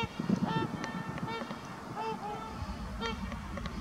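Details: Trumpeter swans at Heber Springs, Arkansas, giving a chorus of nasal, horn-like honks, several birds overlapping with short calls repeated every half second or so, over a steady low rumble of background noise.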